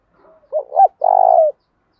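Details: Spotted dove decoy call meant to provoke fighting: two quick wavering coos then a long buzzy trilled coo that slowly falls, with silence around.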